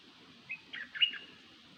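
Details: Decoy bird known locally as nok dok taeng calling: three brief, high, slurred chirps delivered in quick succession over about three-quarters of a second, the last one loudest, against a faint low background rumble.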